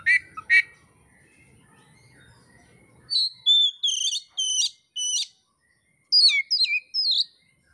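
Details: Indonesian kacer, or oriental magpie-robin, in training material for songbird keepers: two sharp notes, then a series of clear, ringing whistled notes, some slurring downward, in short separate phrases with silence between.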